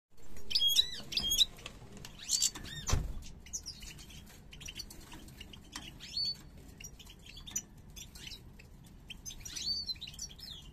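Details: A pair of European goldfinches of the parva subspecies, hatched in 2022, coming into breeding condition and both holding their heads snake-like. Bright, high twittering chirps in quick, irregular bursts, with a sharp tick around three seconds and a steady low hum underneath.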